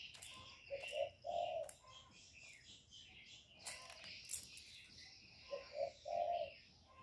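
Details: Spotted dove lure bird calling to excite wild doves, two low cooing phrases, each two brief hoots and a longer rolling note, against busy chirps of other birds and occasional clicks.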